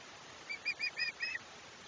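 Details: At a Chesapeake nest on 21 July 2021, an osprey gives five sharp, high, slightly slurred whistles in quick succession, then falls silent, with faint steady hiss behind.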